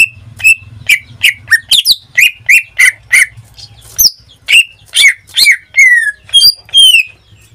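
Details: Pet greater green leafbird, caged and in full song: loud whistled and chirped notes, some sliding downward, given about once a second, with a few harsh buzzy phrases and a faint low hum underneath.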